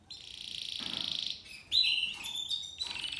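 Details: Seven-month-old male Spanish Timbrado canary singing in timbrado discontinuo style: a long, even, metallic trill, a brief pause, then a brighter, louder rolling phrase, and more ringing trills, with a low hum beneath.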